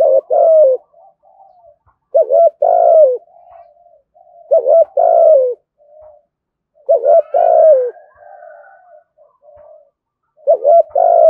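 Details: A spotted dove calling and cooing continuously, used as a call to lure wild doves, gives deep hollow coo phrases, a quick stutter then a longer drawn-out coo, roughly every two and a half seconds against a quiet background.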